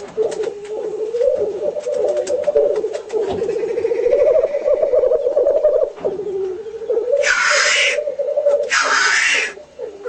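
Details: Black grouse display, home footage: rolling, dove-like bubbling runs for most of the recording, then two loud hissing whooshes burst out near the end while the bubbling continues.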